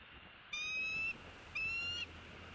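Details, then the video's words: Bald eagle, a male at a Southwest Florida nest on 4 January 2016 around 11:34, defending his territory and chasing a raptor; two thin, high whistled notes with harmonics, each about half a second, spaced a second apart. "M15 defends his territory and chased a raptor"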